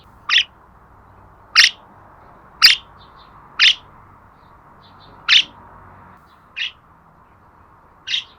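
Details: Budgerigar repeating clipped, high-pitched chirps roughly once a second, each brief and sharp, seven in all against a quiet backdrop.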